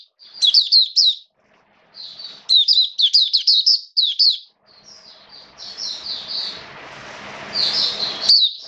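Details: Caged Oriental white-eye (Mata Puteh), 29 September 2022, singing: bright high twittering bursts in the first half, then softer drawn-out high notes half-buried under a rising rushing noise.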